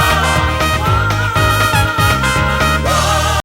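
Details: Lively band music with singing and brass-like instruments playing throughout; no animal sound is heard.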